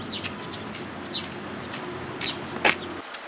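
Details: At a Tenmangu shrine on 11 April 2018, sparrows feeding together utter a few separate sharp chirps, one louder and harsher near the end, over low ambient rumble.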